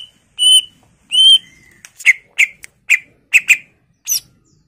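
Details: Greater green leafbird in 'gacor' full-fill song for a 'pancingan' lure: two pure whistles, then a string of sharp, harsh chips in irregular bursts.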